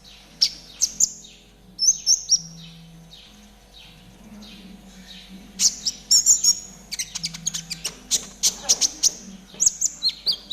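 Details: Spotted 'trotol' konin song played as a training master for caged birds; high, thin chirps and squeaky whistled notes scattered at first, becoming a dense run of rapid sharp notes in the second half.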